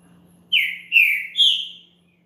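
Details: Champion green-winged saltator singing to warm up another bird: three bright whistled notes, each sliding downward, the last one highest, given as one short phrase over a quiet low hum.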